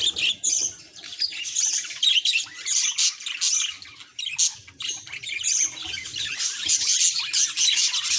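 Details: Mirror-facing budgerigar gives bursts of shrill chirps and buzzy warbled phrases, rising and falling in loudness with short gaps between runs.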